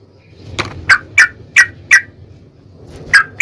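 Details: Yellow-vented bulbul used as a lure to provoke another bulbul to sing: a short series of separate liquid, slightly falling notes spaced about a third of a second apart, then a gap and one more note, over low hum.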